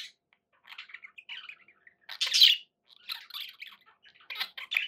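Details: Pet budgies trade soft scratchy warbles and chirps, then one loud harsh squawk burst in the middle, followed by more quick twittering phrases and squeaky notes.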